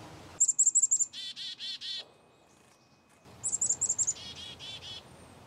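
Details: Black-capped chickadee giving two chick-a-dee calls, each a quick run of four or five thin, high chips followed by four or five harsh, buzzy dee notes, with a short quiet gap between the calls.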